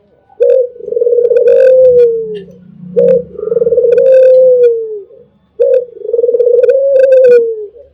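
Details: Albino spotted dove singing a mellow, melodious coo: three long tremulous phrases, each opening with a short accent and sliding lower at the close, with a faint low hum beneath.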